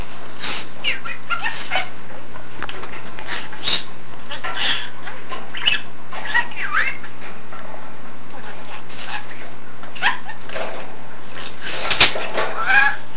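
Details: A male pet budgerigar chatters in quick bursts of warbled, speech-like phrases mixed with chirps and clicks.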